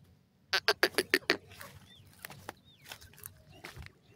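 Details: Grey francolin chicks moving about in a jungle: a quick run of six sharp, clicky chips, then softer scattered notes with a couple of faint rising squeaks.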